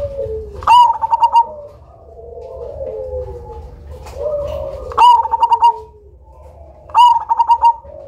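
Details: Loud Cemani zebra dove used as a lure bird, giving three phrases, each a sharp opening note followed by a quick run of five or six short, clipped coos, with soft lower warbling between phrases.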